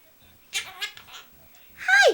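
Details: Pet Quaker parrot talking; its repertoire includes 'hi baby', 'come here', 'tickle tickle' and kissing sounds. Two bursts of raspy, harmonic-rich squawky speech, the second a bright, falling syllable, with a person's quiet voice nearby.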